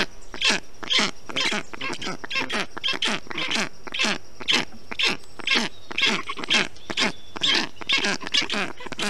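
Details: Black stork storklets in their Estonian nest on a hot 20 June 2021, while the male brings wet material to cool them. They give a long run of grating, wheezy calls at a steady pace of roughly two per second.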